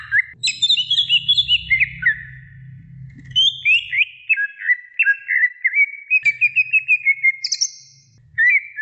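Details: Training recording of a greater green leafbird singing lively: a rapid run of whistled, warbling notes that step and slide between pitches, then brief pauses, with a low hum in the first half.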